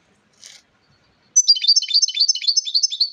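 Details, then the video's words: European goldfinch singing: after a brief soft rustle, a rapid tinkling run of high twittering notes and trills begins, fast jangling phrases continuing to the end. "SAKA KUŞUNUN HARİKA ÖTÜMÜ - GOLDFINCH SING"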